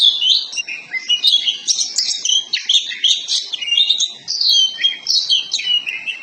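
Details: Oriental magpie-robin (kacer poci) song used as a 'pancingan' lure so other kacer birds quickly fan their tails and sing vigorously: a dense, continuous stream of varied, high whistles, sharp chirps and buzzy trills, rich and fast-changing throughout.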